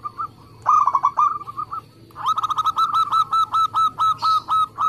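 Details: Local zebra dove singing, a lure recording to make doves call: a short rapid burst of coos, a pause, then a long steady series of about fourteen evenly spaced, clear rolling notes.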